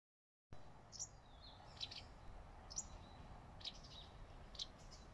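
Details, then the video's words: Wagtail perched on a branch in leaf shade, calling: short, sharp, high chirps spaced roughly a second apart, some doubled, over a steady low background hiss. "The wagtail is talking"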